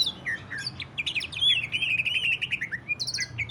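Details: Greater green leafbird 'ngentrok' song, played to make other leafbirds sing: an opening chatter leads into a long sustained whistle wavering gently downward, then high buzzy trilled notes.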